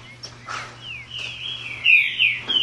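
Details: Green-winged saltator, a tame captive bird kept by a breeder, singing up close: clear whistled notes, a short falling slur and then a long sustained, slightly wavering whistled phrase that grows louder toward the end. Faint low hum underneath.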